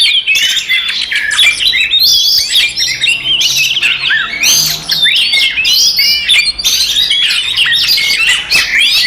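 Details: Oriental magpie-robin (kacer) fighting song, used to provoke other magpie-robins into aggression: a dense, continuous stream of loud, varied whistles, sharp chirps and harsh squawky notes, rapid and overlapping, with a mimicry-like mix of phrases.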